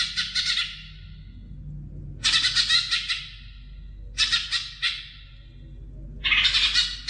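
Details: Greater green leafbird singing, used to spur young birds into full song: harsh, buzzy, rasping bursts about a second long, separated by short pauses, with a low hum beneath.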